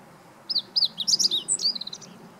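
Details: Meadow Bunting (Emberiza cioides) in song, recorded 20 March 2015: a single complete phrase of about 1.7 seconds, opening with crisp high downslurred notes, tumbling into a rapid jumble and ending in a short fading trill against soft background hiss.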